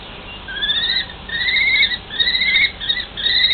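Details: Common kestrels, a mated pair conversing at length: drawn-out, whining, slightly rising notes, each about half a second long, given in a steady sequence of four with faint background hiss.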